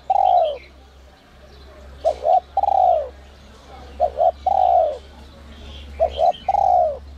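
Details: Spotted dove in the whistle-voice style meant to rouse newly caught doves: repeated soft phrases, a short doubled note then a long falling coo, about every two seconds, with quiet bird chirps in the background.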